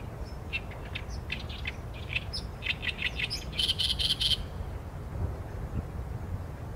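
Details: A singing Oriental reed warbler, filmed on a Sony A7M3 with a long lens: a run of rapid harsh chattering notes climaxes in a loud, grating buzzy phrase, followed by near silence over a low rumble.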